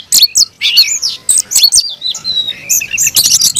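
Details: Oriental magpie-robin in its aggressive fighting song while caged, sharp whistled notes and sliding phrases alternating with bursts of dry chattering, ending in a fast stuttering series.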